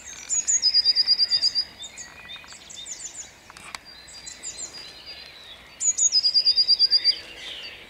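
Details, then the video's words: Song thrush greeting the dawn at Jabłonna, 29 April 2021, repeating the same quick series of about ten bright piping notes twice, separated by several seconds of softer varied twittering. "Drozd śpiewak śpiewa o świcie"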